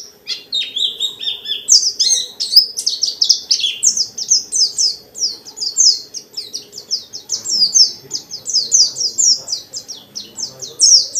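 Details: Long unbroken series of high, falling whistled notes from a dakun white-eye in forest-style song, sung continuously with many phrases to incite other white-eyes to join in.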